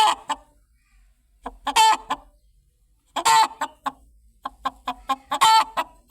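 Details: Chicken clucking in spaced bursts: quick chains of short clucks each leading into a loud, raspy, stretched squawk, with quiet gaps between the bursts.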